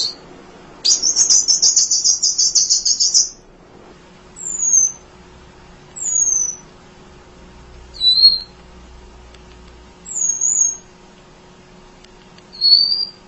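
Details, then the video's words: Tutor recording of a munia's song for other songbirds: a long rasping, buzzy high note of about two seconds, followed by a series of thin descending whistles, one every two seconds or so. "Kicau Emprit Ngoceh Tak Kenal Lelah Untuk Masteran"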